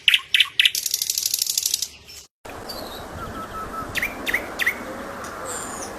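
Thrush nightingale song: rapid dry clicking rattles, then after a brief break, sharp downslurred whistles and pure piping notes over a soft rural background.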